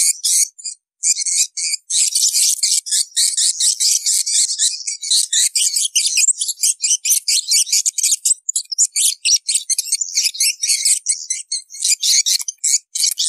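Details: Swiftlets heard in numbers, a sound for swiftlet keepers: a long, busy torrent of rapid, thin, high chirps and clicks overlapping into a buzzing chatter.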